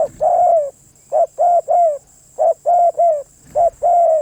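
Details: Spotted dove cooing rapidly in short-long pairs: a clipped coo then a drawn-out mellow coo that dips at the end, repeated about every second, over a steady thin background whine.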